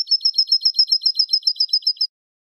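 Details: European goldfinch song for teaching young goldfinches: a single steady trill of about fifteen identical high, clipped notes repeated evenly over two seconds.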